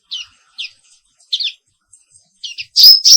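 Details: Black-capped white-eye (Zosterops atricapilla), an Indonesian endemic with a black forehead, in morning therapy song: short high chirped notes in spaced pairs, ending in two loud bright upswept whistles.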